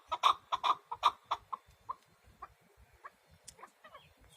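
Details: Chukar partridge, a male and a female in a yard, with a loud series of sharp clucking chuk notes that start fast and strong, then slow and fade into softer, spaced notes.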